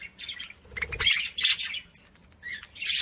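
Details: Budgerigar chatter to stimulate other budgies: bursts of harsh squawks and scratchy chirps, a short lull, then more loud squeaky notes.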